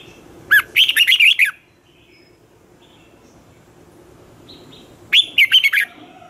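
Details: A red-whiskered bulbul sings in the twisting voice style for morning training of newly caught birds: a rising note leads into a quick tumbling phrase of looping whistles, and after several quiet seconds a second, similar warbled phrase follows.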